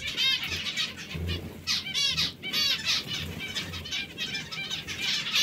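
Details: Group of hungry zebra finches producing clear, harmonic, trumpet-like nasal calls in quick series, some overlapping, with wing flutters and light background rustle.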